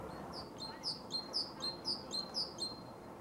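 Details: Male Great Tit recorded in Zagreb, Croatia, in January–February 2015, singing a rapid two-note phrase: a high whistled note dropping to a lower one, repeated about six times in three seconds over low background hum.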